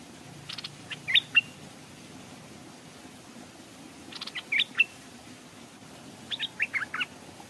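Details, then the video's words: Caged Stripe-throated bulbul decoy hanging by a stream while wild birds approach without landing; three short clusters of sharp, bright chirps separated by quiet gaps of about three seconds, against a soft background hum. "เสียงนกต่อดอกแตงEp.171แขวนนกต่อริมห้วยนกมาแต่ไม่กล้าลง(Stripe-throated Bulbul)"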